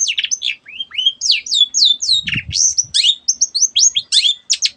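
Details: Shrike song, used so that quiet birds join in singing. A fast stream of varied whistled slurs and scratchy mimic-like phrases, rising and falling, with a brief low thump in the middle.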